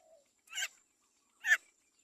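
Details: Great myna baby begging during feeding by its mother: two short, harsh rasps about a second apart, preceded by a soft falling squeak, with quiet gaps between.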